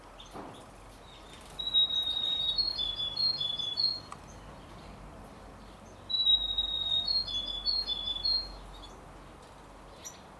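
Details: Young canary and European goldfinch hybrid aged 33 days gives two separate bursts, each a sustained high whistle breaking into quick two-pitched chirps, with a pause of about two seconds between them.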